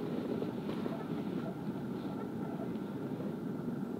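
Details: Continuous droning rumble like a passing vehicle or aircraft, with a faint steady hum and no animal calls.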